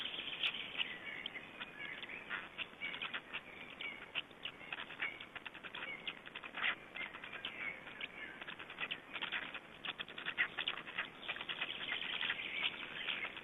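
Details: Estonian black storks at their nest during feeding, 20 May 2012. A continuous mass of rapid, rasping chatter and clicking bursts runs throughout, swelling and fading irregularly.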